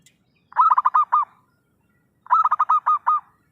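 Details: Zebra dove in vigorous voice, recorded as a lure for trapping. Two matching phrases of fast, rolling, pulsed coos, each with about seven beats and a slightly longer final note, on a clean, quiet background.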